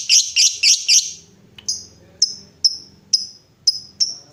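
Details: Lovebird sounds played to prompt other lovebirds into long trilling song: four rapid high buzzy chirps in the first second, then sharp high single chirps spaced about half a second apart, over a faint low hum.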